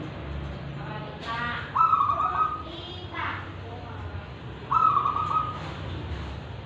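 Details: Local wild-type zebra dove singing: soft, mellow cooing phrases, each a few quick notes ending in a longer steady coo, repeated about every three seconds over low background noise.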